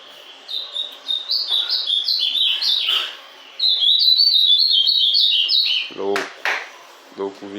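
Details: Ultramarine grosbeak in captivity, back from its moult, delivers two bursts of quick, sliding whistled notes separated by a pause, while a man speaks in Portuguese over the end.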